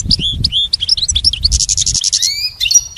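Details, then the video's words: Goldfinch kept for song training, giving fast chirps and slurred whistles, then a harsh buzzy rattle, ending with long downward-sliding whistles and a thin held note. "Teaching the goldfinch the art of song-advanced lessons in best chirps"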